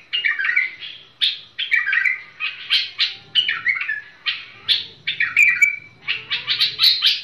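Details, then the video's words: Tamed bulbul singing short, fast phrases of bright chirping and warbled notes, each burst lasting under a second and coming again and again with brief pauses, with a faint low hum underneath. "بلبل المطوعة فريزر"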